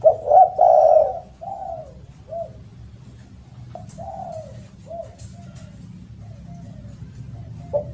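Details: Spotted dove with a loud voice: strong blurred coos open the sequence, followed by fainter, spaced arched notes that fade away, against a faint low background hum.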